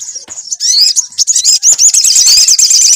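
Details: Lure recording of a singing sunbird meant to make another bird sing: thin, shrill, rapidly repeated sweeping notes that build after half a second into a continuous high-pitched chatter.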